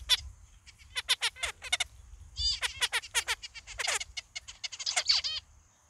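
Zebra finches give rapid bursts of nasal, buzzy, toy-trumpet notes, some stuttered and some drawn out.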